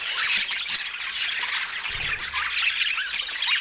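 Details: Parakeets during autumn morning feeding. A flock-like chatter of scratchy squawks with clear rising and falling warbled notes is followed by a soft low rustle midway.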